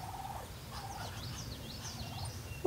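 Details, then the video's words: At sunrise, a Bronze turkey, noisy alongside ducks including a Muscovy, gives rapid, warbling gobbles in short bursts over a steady low rumble. "ducks and turkey are noisy today"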